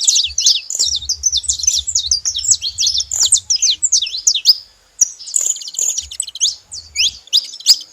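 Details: Saffron finches in a free-living wild flock, giving a continuous chorus of rapid, high, sharp chirps and trills from many birds, briefly pausing near the middle, with faint low thuds underneath.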